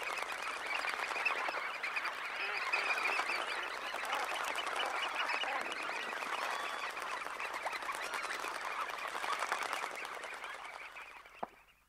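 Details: About 20,000 red knots leaving a high tide roost: a broad chorus of overlapping chattering calls and wing noise that swells, holds, then fades away, ending with a single sharp click.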